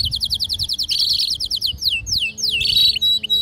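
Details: Domestic canary song, presented as a female's mating call with a male singing, made of rapid repeated high chirps, then drawn-out descending slurs and a buzzy trill, over a low background hum.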